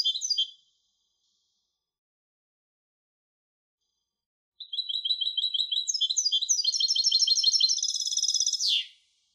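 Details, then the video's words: Brief twitter from a European goldfinch hybrid, then a long silence before a sustained high song of rapid repeated notes building into a dense buzzy trill and ending in a falling slur. "تغريد هجين الحسون Canto De Mixto del Jilguero"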